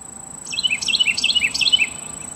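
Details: A little brown bird calling from a feeder: four quick bursts of high, chirpy notes, each sliding downward in a short cascade, spaced about a third of a second apart, over a steady faint high whine.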